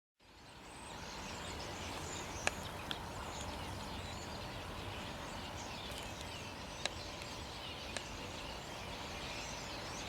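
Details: A flock of common starlings near Zamudio, Bizkaia, on 5 January 2020, with carrion crows also present, makes a dense, continuous wash of high chattering and whistled notes, with a few sharp clicks against steady background noise.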